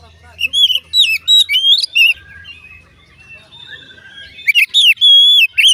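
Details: Oriental magpie-robin in full song, said to make others of its kind join in: clear swooping whistles repeated in quick groups, a quiet warbling pause, then another bright burst of whistled notes.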